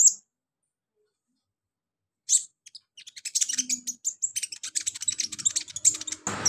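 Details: Kolibri ninja sunbird, used for singing therapy: after near silence, a run of rapid thin high-pitched chips and twitters builds into a fast, busy stream.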